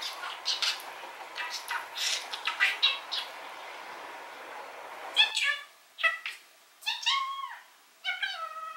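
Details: Pet male rainbow budgerigar chattering, filmed from a distance with telephoto zoom: rapid soft chirps and twittering for five seconds, then louder, harmonic, wavering voice-like phrases separated by brief pauses.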